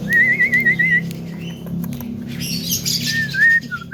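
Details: A mimicking Javan myna produces a quavering, trilled whistle lasting about a second, a short noisy burst, then further wavering whistled phrases against a low humming background.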